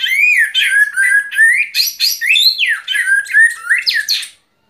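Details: White-rumped shama singing loud, rich, varied song, presented for relaxation: rapid sequences of rising and falling whistles mixed with scratchy, squawk-like notes, in bursts of about half a second, continuous for four seconds before stopping.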